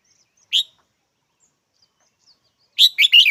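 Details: Red-whiskered bulbul: an isolated sharp note, a pause of about two seconds, then a fast run of three bubbling, warbled notes.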